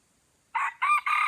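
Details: Red junglefowl crowing in Aceh, where two wild junglefowl came to a lure bird: a loud, short crow in three harsh, harmonic-rich segments, the last one longest, on a quiet background.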